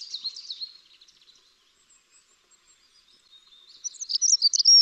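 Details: Dunnock song, a recording played during a garden birdsong talk in Britain: a male sings from a bush top in the breeding season, repeating the same song over and over; a quick, high, scratchy warble opens and closes a quiet gap.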